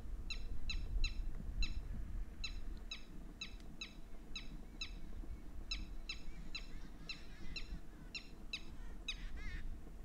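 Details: Red-wattled lapwing (titeeri) in Haryana, open country and wetland. Strident, harmonic notes repeat several times a second in uneven bursts, ending in a rougher, wavering flourish over a low background rumble.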